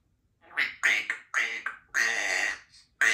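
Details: Two-year-old female Congo African grey parrot indoors, practicing her sounds and words: a run of harsh, broad squawky syllables with speech-like bursts, one longer rasping note near the end, then a sharp final squawk.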